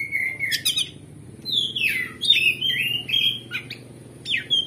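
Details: Oriental magpie-robin in full, loud song meant to rouse a rival's fighting spirit: clear whistled notes sliding downward, mixed with short buzzy bursts and quick chips, delivered in lively, uneven phrases against a faint low hum.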